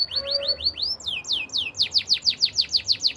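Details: Canary song used for training: a few rising whistled notes, then a rapid run of bright downward-slurred chirps repeated about five times a second.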